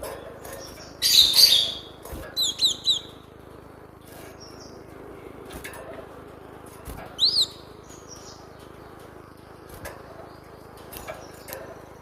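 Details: Cinereous tit song, used as a training lure for captive birds: a harsh scratchy burst, then quick whistled notes that rise and fall, and one more sharp rising whistle after a pause. Faint background hiss.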